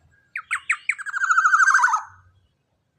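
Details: Captive young Black-naped Oriole with a big body and ringing voice, voiced to prompt other birds to sing: three harsh slurred notes, a quick buzzing trill sinking at the end, a low rumble, then another note starting.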